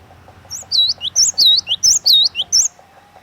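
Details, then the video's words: Singing cinereous tit (glatik watu), a lure bird kept for teaching song to other birds, repeats a bright phrase pairing a high whistle with a lower swooping note about three times in a row, with a soft steady hum underneath. "KICAUAN GLATIK WATU PIKAT GACOR"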